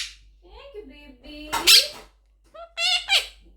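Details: Pet blue Quaker parrot speaking: a soft, wavering low whistle that steps down and holds, then a loud harsh word-like burst, a short gap, and two bright nasal syllables with stacked tones.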